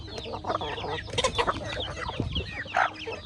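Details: Backyard chickens close up while eating corn: dense, loud chattering clucks and nasal squawks from several birds overlap without pause.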